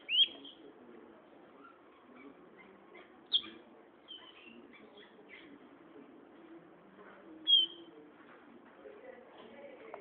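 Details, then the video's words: Silver-beaked seedeater, a loud-singing seed-eater of lowland plains and hill bases, kept as a tutor bird; scattered sharp high whistles and short chips spaced several seconds apart, fairly faint, with low murmuring background noise. "pico de plata pollero cantando"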